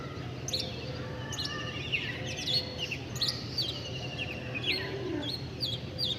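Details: Several birds chirping together: quick high tweets, short whistled notes and downward-flicking chirps overlapping throughout, with a soft steady low rumble behind.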